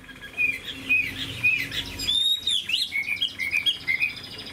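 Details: Caged Chinese hwamei, a big-bodied bird, singing confidently on its perch once released from the hand: clear, high whistled notes repeated roughly every half second, with a longer rising whistle and faint room noise.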